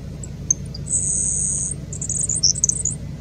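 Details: Grasshopper Sparrow on Nations Road: a thin, very high insect-like buzz lasting about a second, followed by a sputtering run of high ticks, over a low steady rumble.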